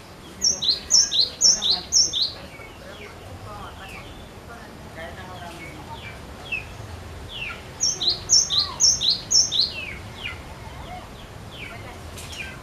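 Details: Cinereous tit singing insistently to prompt other birds, two bursts of about five quick two-note phrases each, high whistle then lower slurred note, with a long quieter gap of faint distant calls between.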